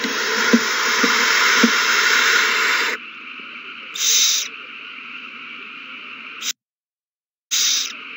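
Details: Owls stirred into a frenzy at their nest over a mouse handed from one bird to another, March 21, 2020. A long, rasping hiss for three seconds with soft clicks, then two brief screeches and a short silent gap.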